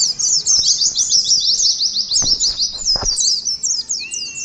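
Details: Oriental white-eyes, caged, in ngalas song-battle singing meant to steady colony birds: quick high chirped notes tumbling continuously, several light clicks midway, ending with a short thin level whistle.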